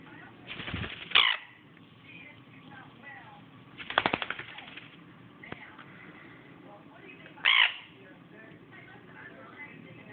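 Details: A pet sun conure, climbing around, gives short, harsh squawks between bouts of rustling and rapid fluttering or rattling.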